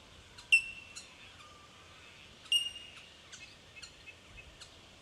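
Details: Bell miners (Manorina melanophrys) in Victoria, Australia, in March 2011 give two loud, pure ringing 'tink' notes about two seconds apart over a constant high tinkling colony chorus, with a few softer chips.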